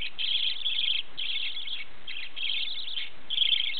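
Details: Several pet budgerigars at home in Tottori, Japan, chatter together in a dense warbling chorus of fast, scratchy chirps, broken by brief pauses about every second.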